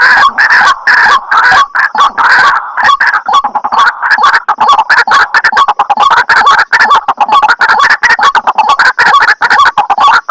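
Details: White-breasted waterhen lure sound for drawing shy birds close during daytime trapping: a dense, continuous jumble of harsh, croaking notes overlapping without pause, as if several birds call at once.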